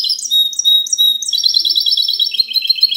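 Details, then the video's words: Goldfinch mule (mixto de jilguero) singing in the clean 'cante limpio' style, recorded 19 March 2020: high sliding whistled notes, then a rapid run of bright, tinkling trilled syllables. "mixto de jilguero cante limpio"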